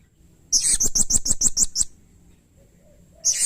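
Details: Blue-crowned hanging parrot, locally serindit, calling vigorously: eight sharp, very high, squeaky notes in quick even succession, about six per second. A pause of over a second follows before a new shrill burst begins.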